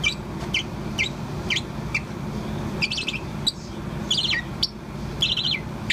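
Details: Young Bourke's parrot, about four months old, chirping continuously. Short high chirps come roughly every half second, some doubled or in quick clusters, over a steady low indoor hum.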